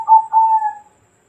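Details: Bangkok-type zebra dove, 2020, giving two soft level coos, the second drawn out and fading, under a second long.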